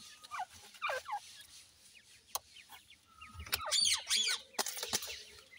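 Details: A female Grey francolin (Ortygornis pondicerianus) feeding her chicks, breeding season: soft, slurred falling notes in short bursts near the start, followed by clicks and loud rustling scratches.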